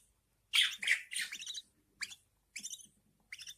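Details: Budgerigar chicks begging as their mother feeds them, a loud buzzy cluster of harsh chirps, followed by three shorter raspy bursts spaced roughly half a second apart.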